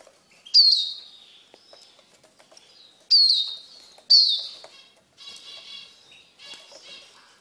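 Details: Eurasian siskin kept in a cage and being tamed to eat from the hand gives three sharp, high, downslurred calls a few seconds apart, followed by buzzy chattering notes and some fluttering.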